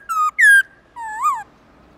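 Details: Black-throated laughingthrush singing its forest-style song in the morning: three clear whistled notes, two level and slightly falling, then a longer note rising and falling back, all strong and loud against quiet background.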